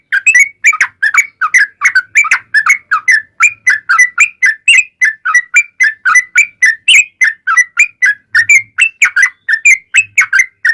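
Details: Yellow-vented bulbul song used as a lure to make other bulbuls answer: a rapid, continuous string of short bubbly whistled notes around the middle register, each note bending up or down, chattering on without pause.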